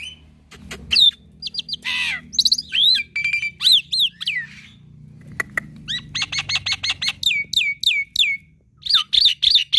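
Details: Young black-winged myna in full song for training other mynas: scattered clicks and buzzy notes give way to a fast series of repeated downslurred whistles, about three per second, ending in squeaky rising notes.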